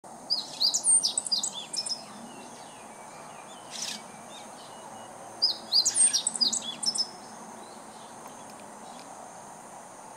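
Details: Meadow bunting singing as if calling out to the neighbourhood, recorded on 19 July 2014; two bursts of rapid high twittering phrases about five seconds apart, with a faint single note between and steady background hiss.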